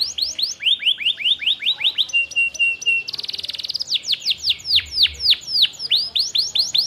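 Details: Canary in energetic song for prompting reluctant canaries; repeated descending whistles, a buzzy even trill, then a run of sharp, looping downward-sweeping notes.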